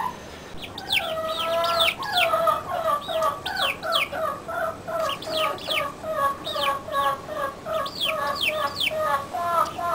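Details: A backyard flock of chickens: steady, rhythmic nasal clucking repeated about two to three times per second throughout, mixed with high, sliding peeps above.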